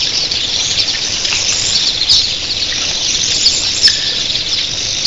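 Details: Early morning flock of thousands of red-billed queleas producing a steady wall of high-pitched chatter, with a brief lower whistle near the end and scattered sharp ticks.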